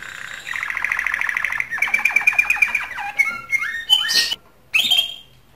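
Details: Canary song aimed at stimulating females to mate: a buzzy rolling trill, then sharper repeated notes slowing into separate descending and rising whistled phrases with short gaps.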